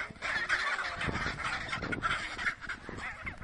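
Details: Chinstrap penguins fighting on the Antarctic Peninsula, with harsh, braying squawks and honks overlapping in a noisy jumble, mid-pitched and continuous for several seconds.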